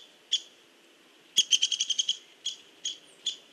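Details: A Hairy Woodpecker pecking at a tree on 16 November 2015 in the afternoon gives sharp, dry knocks: one quick run of about seven taps, then single slower taps.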